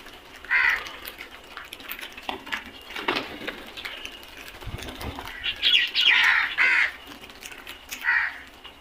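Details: Crows in a flock give scattered harsh caws, with a cluster of overlapping calls near the end over a faint background hiss.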